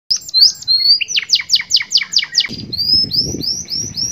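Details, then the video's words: Pet canary singing a master-style song, 'cengkok super mewah' filled with glatik batu phrases: high rising whistles, then a run of about seven steep descending sweeps, then upslurred whistles, with a low rumbling noise in the second half. "AUDIO MASTER BURUNG KENARI CENGKOK SUPER MEWAH FULL ISIAN {GLATIK BATU}"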